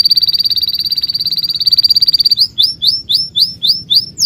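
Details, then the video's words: Birds chirping: a fast, even high trill of rapid pulses holds steady for over two seconds, then gives way to a string of sharp, hooked chirps repeated about every third of a second. "The sound of birds chirping"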